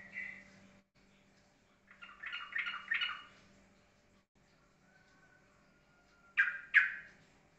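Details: Yellow-vented bulbul singing in the ropelan style, steady and calm: a short bubbly phrase at the start, a chattering burst of rolling notes in the middle, then two sharp loud notes at the end, over a faint low hum.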